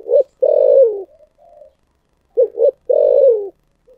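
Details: Spotted dove singing in the thổ sấm style: a long, descending coo, a few quiet murmured notes, then a full phrase of two short rising notes and a sustained falling coo.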